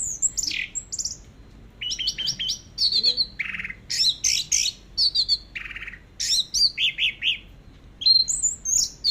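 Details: Teler-style song of an orange-headed thrush, long-duration tutor recording: loud, clear run of high chirps, buzzy notes and quick whistled slurs, delivered in dense bursts separated by short gaps. The background is otherwise quiet.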